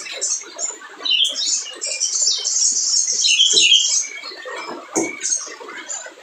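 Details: Energetic spiderhunter singing, meant to goad lazy birds into calling: a rapid, dense stream of shrill chirps and trills at about three notes per second, with a few louder piercing whistles and soft clicks.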